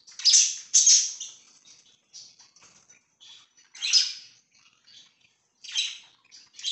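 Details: Pet budgerigars recorded on 24 September 2024, giving scratchy, buzzy chirps and squawks in irregular bursts, with loud harsh notes near the start, middle and end and softer chatter between them.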